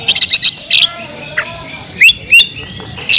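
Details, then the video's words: Oriental magpie-robin singing kemrayak to provoke other birds of its kind: a fast chattering run of high notes at the start, then a pause, then a few separate rising whistles. "suara kicau burung Kacer kemrayak biar kacer lain konslet"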